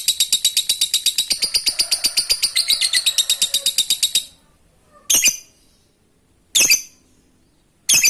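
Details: Lovebird giving a long ngekek trill, used to provoke other birds into singing along. Loud, rapid, even chattering trill of sharp clicks for about four seconds, then silence broken by three short harsh bursts.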